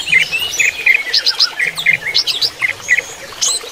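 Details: Greater green leafbird during running-water therapy, singing varied bright chirps: paired slurred notes and quick high twitters spaced irregularly, about three to four per second.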